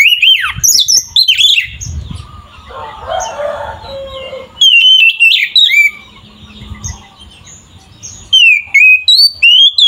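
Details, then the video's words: Oriental magpie-robin (kacer) song used to stir other magpie-robins: a loud whistled phrase at the start, a muffled low section in the middle, then two bursts of clear sliding whistles and chirps. "Suara burung Kacer GACOR ini sangat ampuh untuk menaikan emosi kacer"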